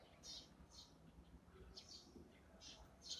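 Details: Eurasian tree sparrow feeding in the morning, giving a string of short high cheeps, sometimes two in quick succession, against a low steady hum.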